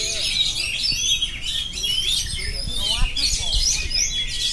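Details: Oriental magpie-robin singing nonstop: dense, overlapping high whistles and chirps layered continuously, with a brief lower buzzy, descending phrase near the middle and a faint low background rumble.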